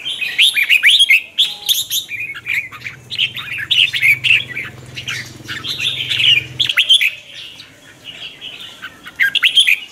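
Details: Red-whiskered bulbul training song for the morning, twisting chè lure style aimed at stirring wild-caught birds: continuous lively warbling of quick slurred whistles, with a steady low mechanical hum underneath for much of the time.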